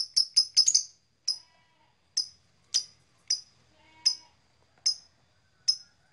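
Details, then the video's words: Blue black-masked lovebird with a quick cluster of sharp chirps, then single shrill chirps spaced about every half second to one second. "Beautiful Lovebird Long Chirping Sound - Blue Black Masked Lovebird"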